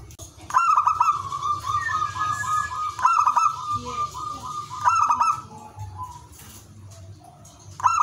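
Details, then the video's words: Zebra dove singing in the ngowar style, a song meant to stir breeding desire in other doves: a long, steady mid-pitched tone broken by bubbling trilled bursts near 1, 3, 5 and 8 seconds, with sharp clicking sounds and a low background hum. "perkutut ngowar gacor cocok naikan birahi semua jenis perkutut"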